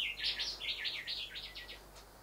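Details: Rufous whistler, a male drawn to his reflection in house windows, gives a quick series of rich, looping whistled notes that rise and fall, softening toward the end.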